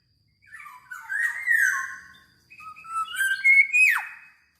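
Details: Black-naped oriole, called kepodang, singing prolifically (gacor): two fluted whistled phrases gliding between low and mid pitch, the second ending in a sharp downward-swooping note, with a short pause between them.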